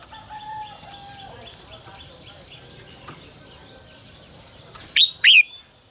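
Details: Red-whiskered bulbul singing 'ché căng lửa' style for bird voice training: a busy background of soft chirps, thin whistles and noise, building to a loud, quick slurred whistle phrase near the end.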